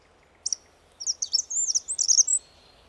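A spotted flycatcher gives a thin, high squeak, then a quick string of about eight sharp, scratchy high notes over a second and a half. A faint hiss runs underneath.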